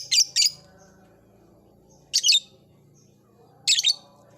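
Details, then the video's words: Caged blue ice lovebird in an old cage beginning to ngekek: short paired harsh squawks separated by pauses of over a second, grating and high, with quiet low hum between. "Suara burung Lovebird "Kicauan Di Sangakar Tua" Si Gunner Mulai NGEKEK !!!"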